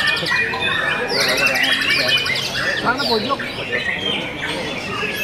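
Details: Competition white-rumped shama that won first place at a singing contest gives a rich, fast song of varied whistles, trills and chattering phrases, with other birds and voices in the background.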